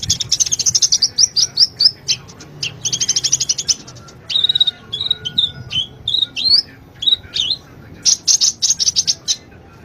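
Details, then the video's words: Sunbird (local name konin, kolibri ninja), lively master song used for training cage birds: rapid high twittering chirps in dense bursts, with sliding whistled notes in the middle and brief quiet gaps between phrases. "Suara burung konin Kolibri ninja gacor masteran burung konin"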